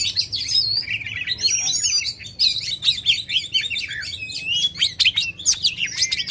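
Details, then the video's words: Oriental magpie-robin singing loudly and continuously to stir contest birds, with fluid rising and falling whistles, trills and sharp clicks woven into an unbroken, varied stream of high notes. "kacer gacor ngobra suara lantang ampuh buat pancing emosi kacer kontes"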